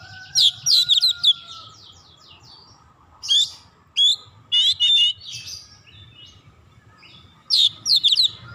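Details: Oriental magpie-robin singing fast gacor song to rouse other magpie-robins: repeated bursts of loud, scratchy whistled trills and chatters separated by short gaps, with a long faint steady whistle early on and a low background hum.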